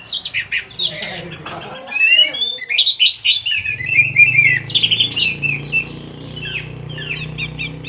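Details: Orange-headed thrush uttering varied whistled and chattering phrases in quick succession over a steady low humming background, with some softer murmuring early on.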